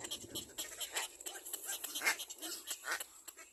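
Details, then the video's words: A young black-crowned bird following its mother gives harsh, raspy screams in quick bursts, several each second, over a faint background hiss. "Black crowned baby bird behind mother screams"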